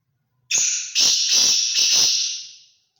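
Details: Large Sindhi gangass grey francolin calling: a loud, shrill, high whistled tone held for about two seconds, cut by three harsh rasping pulses at roughly half-second steps, then trailing off; no other sounds.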